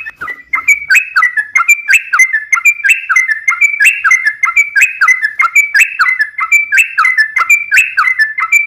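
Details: Long continuous 'ropel' song of a sooty-headed bulbul, used to prompt other bulbuls to reply: rich whistled notes in quick bouncing phrases, roughly one per second, with no other sounds.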